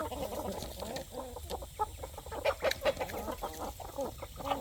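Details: Growing hens, roosters and chicks during evening feeding on a poultry farm. Many overlapping throaty clucks pulse in uneven bursts with occasional high peeps.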